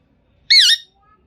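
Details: Green Indian ringneck parrot giving a single loud, harsh, wavering squawk about a third of a second long, rich in harmonics, in a quiet indoor setting.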